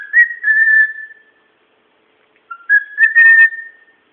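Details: Whistling from a pet bird kept at home: a sustained level whistle fading away, then after a pause a low short note rising into a louder whistle with buzzy, clicking texture, then a fade.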